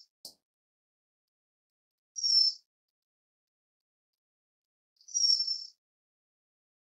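A white-crowned forktail gives two thin, high, shrill whistled calls, each about half a second long and about three seconds apart, with silence between.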